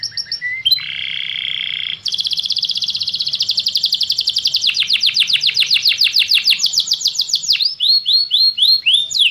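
Canary song: high, bright trills of fast repeated notes, switching to a new rolling or sweeping syllable every second or two after a buzzy opening.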